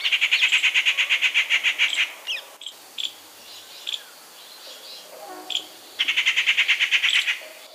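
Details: Rufous treepie (Dendrocitta vagabunda) recorded near Gir National Park in Gujarat, India, giving a fast rattling series of pulsed notes, then scattered short sharp calls and a brief quiet gap, followed by another rapid chattering run.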